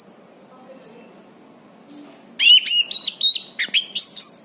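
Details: Orange-banded thrush song meant for training birds: after two quiet seconds, a loud, rapid stream of high, bright whistles and chirps, some notes rising and sliding.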